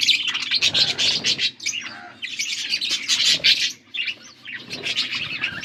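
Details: August 13, 2024 recording of blue budgies feeding each other: loud clusters of fast chirps and twitters separated by brief pauses, with a short whistled squeak in between.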